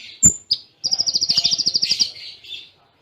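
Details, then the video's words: Konin song, Cililin tembaan style: a sharp high whistle and click, then an even rattling trill of about twenty fast notes lasting over a second, fading into a softer buzzy tail. "Masteran Konin Full Tembaan Cililin Jeda Rapat"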